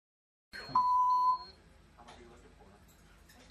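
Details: At a home in Daventry, Northamptonshire, England, a pet African grey parrot gives one steady, pure, electronic-sounding beep of about half a second, mimicking a smoke alarm, which brought firefighters on a false alarm; faint room noise follows.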